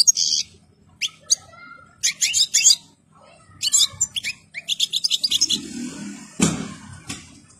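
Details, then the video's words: European goldfinch in full plumage and breeding readiness sings sharp, high twittering bursts and fast trilled runs. A low thud and some background rumble come near the end. "الحسون الاصلي جاهز ومحني ثوب كامل مقطع روعة"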